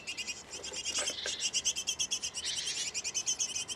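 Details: Nest box with a great tit pair tending nestlings: dense, high-pitched chirping pulses in steady rapid series, a couple of faint lower knocks near the one-second mark.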